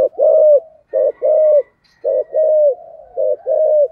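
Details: Spotted dove kept as a decoy bird, singing in the Vietnamese 'giọng thổ' style with urging coos and calling song to lure wild doves: low hollow coos in short paired phrases, repeated about every second, in a quiet room.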